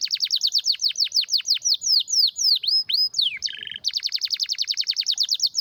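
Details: Canary singing a long series of rapid downward-sweeping notes, a short buzzy rattle, then resuming the fast repeated sweeps, loud and steady throughout.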